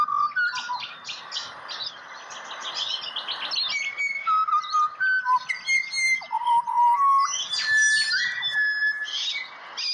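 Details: Pied butcherbird singing in Australia: a sequence of clear, separate whistled notes at shifting pitches, some rising, some falling, over a background of chattering and chirping birds.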